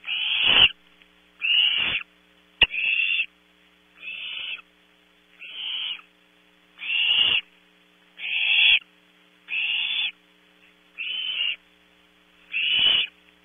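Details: Barn owl owlets in a nest box at Audubon Starr Ranch, California, competing for prey delivered at 3 a.m., one young looking for scraps: harsh hissing screeches, ten rasping bursts spaced a little over a second apart, with a sharp click between.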